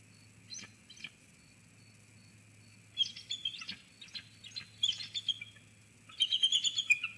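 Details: Pair of eagles sharing vocals while perched side by side in a snag at Sauces Canyon, 17 February 2020; scattered thin high chirps build into a rapid, squealing chitter near the end, with a faint low hum throughout.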